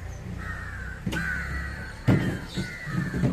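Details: Indian jungle crow (Corvus culminatus) calling while feeding on fish: a series of about four drawn-out, harsh caws in quick succession, with dull thumps and a low background rumble.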